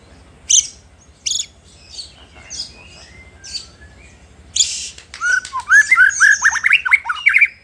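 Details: White-rumped shama in full song, meant to provoke rival shamas: several sharp clicks and high chirps, then a rapid run of rising whistled notes, repeated quickly and growing louder toward the end.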